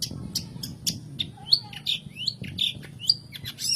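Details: Long-tailed shrike, recorded as a lure for birds that sing little: quick scratchy chirps mixed with slurred, whistled phrases that rise and fall, delivered in a varied, restless stream.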